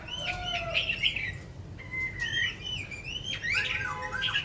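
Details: Caged Chinese hwamei, a tame bird kept over five years in a cage, sings clear whistled phrases that slur up and down, with fast warbled runs and brief pauses between phrases; low background hum.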